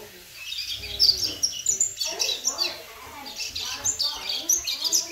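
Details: Ten-month-old male double-collared seedeater kept in the United States gives a rambling run of high, thin chirps and twitters, with a person's voice murmuring faintly underneath.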